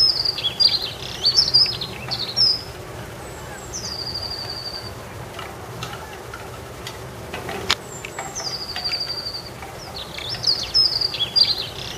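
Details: Common blackbird chick and its mother in a garden; thin, high whistled notes, some sliding downward, come in short bursts at the start and end, with long, level, drawn-out whistles between; faint background hiss.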